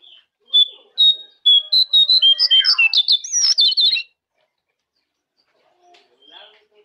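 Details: Jongkangan master recording to spur caged birds: a quick, energetic string of loud whistled chirps with some buzzy elements, followed by near silence and a faint call at the end.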